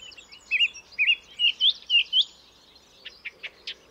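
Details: Song thrush song of wavering, whistled notes repeated six times in quick succession, followed by several sharp high clicks.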